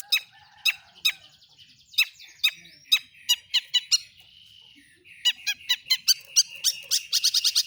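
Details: Long-tailed shrike song used as a lure for other shrikes: harsh clipped notes in uneven bursts, turning into a fast chattering rattle at the end.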